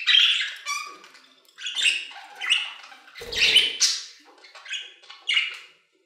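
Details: Budgerigars singing in an aviary, separate chirpy warbling bursts about every second with quiet gaps between, one brief low wing flap in the middle.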